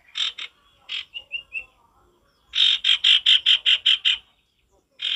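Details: Male sirtu in lively voice with natural forest ambience: high buzzy, rasping notes, first in short groups, then a fast series of about nine even harsh notes, a few clear whistled notes between.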